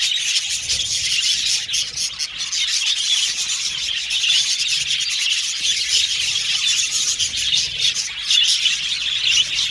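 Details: Budgerigars chirping steadily, a thick layer of rapid high squeaks, tweets and warbles from several birds, the chatter swelling slightly near the end.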